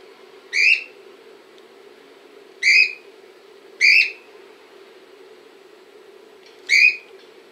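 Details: A pet cockatiel filmed in Montpellier gives four loud, sharp, rising whistled calls, spaced about one to three seconds apart, over a steady low hum.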